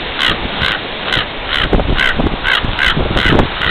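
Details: A very agitated common raven on Baker Beach, San Francisco, on June 27, 2010, possibly guarding a nearby nest, gives about nine harsh, nasal caws at a steady pace of one every half second, over heavy wind and surf rumble.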